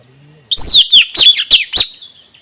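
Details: A male Asian fairy-bluebird, used to lure wild birds, gives a long down-slurred whistle followed by four quick, ringing, falling notes, with a soft hiss throughout.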